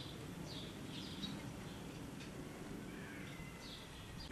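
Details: Common swifts (Apus apus) in Soest on 5 July 2009: thin, high, slightly falling screams in several short bursts, fairly faint over a steady low rumble.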